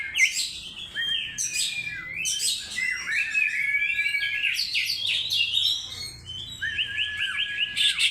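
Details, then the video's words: Lure song of an Oriental magpie-robin: bright, loud phrases of rising and falling whistles and rapid chirped runs, delivered in bursts roughly every second with brief pauses between. "burung Kacer NEW ROMEO power tembus II pancingan Kacer mewah"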